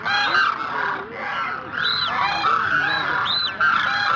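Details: Demoiselle cranes (koonj) in full chorus: a dense mass of honking calls, with a few high, arching notes that rise and fall sharply standing out over the steady background of voices.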